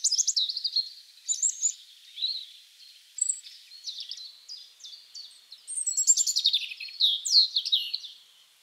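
European Robin singing a high, thin, rippling song of varied short phrases, sweet whistles mixed with quick trills, pausing briefly between bursts.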